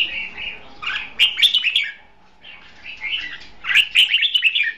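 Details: Red-whiskered bulbul kept in a cage as a trapping decoy, delivering fighting song in two loud warbling bursts of rich, rolling whistled notes with a quieter gap between them.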